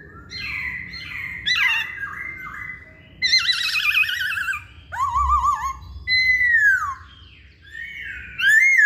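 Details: Masked laughingthrush singing, played as a lure to make birds sing: bursts of loud, harsh, wavering whistles, quavering trills, and long downslurred notes separated by short pauses.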